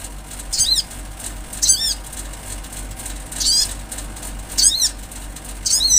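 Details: Wild olive-backed sunbird calling roughly once a second with high, thin notes that slide downward, each a short sweeping squeak over a steady background hiss.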